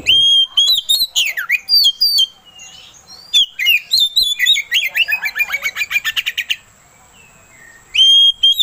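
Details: Oriental magpie-robin song meant to provoke another bird into singing: varied whistled phrases, then a fast run of repeated chattering notes, a short silence, and a final clear whistle.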